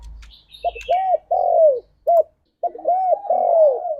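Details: Spotted dove song from a pet bird: short clipped coos followed by long, smooth arched croos. Two phrases are separated by a brief silence, with a faint low rumble at the start.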